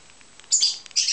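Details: A rosy-faced lovebird being hand-fed, wings fluttering, gives two quick bursts of shrill, high, scratchy begging chirps about half a second apart.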